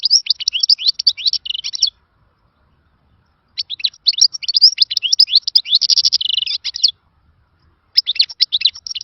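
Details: European goldfinch delivering khalawi song, a style described as lost from a golden era: three bursts of rapid twittering mixed with rolling buzzy trills, with pauses of one to two seconds between them.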